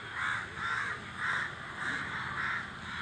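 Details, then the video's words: A group of crows in flight giving hoarse, rasping caws, about five evenly spaced calls in three seconds over a faint low rumble. "The crow said something, after which the flock of crows is making a flying noise."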